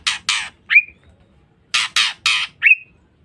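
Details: Female white-rumped shama giving a lure call meant to provoke males: paired rasping, broadband squawks followed by a short, sharp upslurred whistle, the sequence given twice.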